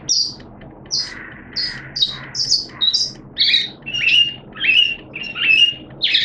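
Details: Caged Oriental white-eye in open 'buka' singing, hobby bird, 11 September 2022 in wet, erratic weather: separate short chirps roughly every half second, some high and thin, others lower and slurred.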